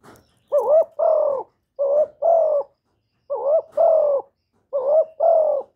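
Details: Spotted dove cooing, recorded without background noise: four paired phrases, each a brief upturned note followed by a longer, steady, slowly falling coo, repeated about every one and a half seconds, with nothing else audible.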